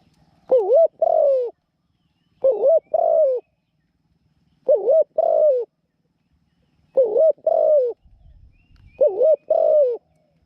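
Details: Decoy spotted dove, said to have a small voice and coo well, used to draw wild doves to a trap cage; five evenly spaced phrases of a short warbled coo then a drawn-out falling coo, about every two seconds, in quiet surroundings.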